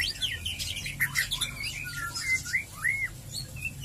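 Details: White-rumped shama (murai batu) song in the ngeriwik ngeplong style, used as a lure to prompt other shamas to sing: a rapid run of clear whistled slurs and chirps, several rising-then-falling notes near the end, over a low hum.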